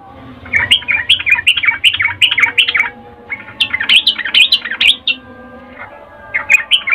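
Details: Female sooty-headed bulbul calling a male with a breeding call of the ngecuplik style, played as a lure to provoke males. Three bursts of rapid, bubbly chattering notes, fairly high and clipped, separated by short pauses over a low background hum.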